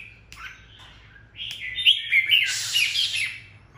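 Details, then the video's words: Decoy red-whiskered bulbul in peak condition singing solo, an unusual chatter: a loud burst of bright, slurred whistles rising into a harsh, scratchy chatter, with a faint low hum behind. "Chào mào mồi căng đét solo ché | ché cực dị"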